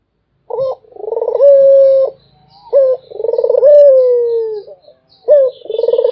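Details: Barbary dove cooing tirelessly. A clipped note leads into a rolling pulsed coo and a long steady tone. The pattern repeats about every two and a half seconds over faint high background noise.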